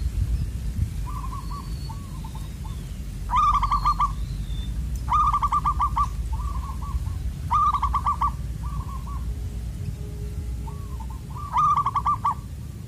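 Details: Zebra dove, locally perkutut, Koong voice described as loud and echoing, recorded while luring wild birds to a perch; repeated bursts of rapid, bright, ringing cooing notes alternate with softer trilled phrases, over low steady rumble.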